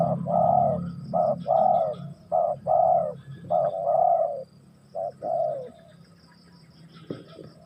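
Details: Loud, close spotted dove song: several short-long coo pairs delivered in quick succession, then a pause and two fainter phrases, ending with a sharp click and soft distant coos.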